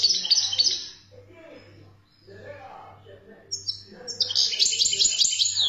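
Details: ['Algerian European goldfinch, khaloui style song: a loud rapid twittering phrase, a brief quieter gap with soft murmuring, then another fast run of high buzzy trills and tinkling notes, over a pulsing hum.']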